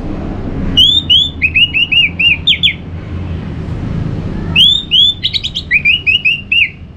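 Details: Caged orange-headed thrush, played in the morning from northern Bali to stimulate other birds to sing: two bursts of loud, clear whistled phrases, rising and falling slurred notes delivered rapidly, separated by a pause, over low background hum.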